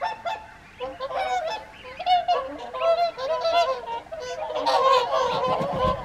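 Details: Many whooper swans calling together at the evening feed, Folly Pond, WWT Caerlaverock, January 2023; loud overlapping trumpeting honks, some rising and wavering, swelling into a dense chorus toward the end.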